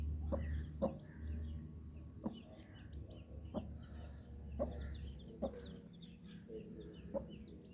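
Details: Several colour-dyed baby chicks cheeping continuously in high, brief, falling notes, overlapping one another, while sharp knocking sounds recur roughly every second over a faint low hum.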